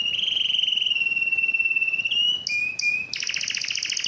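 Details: A yellow canary sings a sustained pure whistle that slowly drops in pitch, breaks into short clipped notes, then launches into a loud, rapid buzzy trill.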